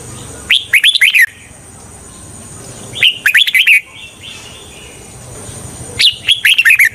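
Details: Red-whiskered bulbul singing as a decoy to lure wild bulbuls for trapping: three short bright phrases about three seconds apart, each a quick burst of five or six chirpy, slurred whistled notes, over a faint steady high whine.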